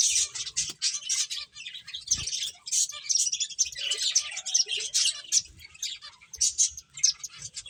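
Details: Playing finches keep up a steady chatter of sharp high chirps, many birds overlapping, with a faint soft thump near two seconds.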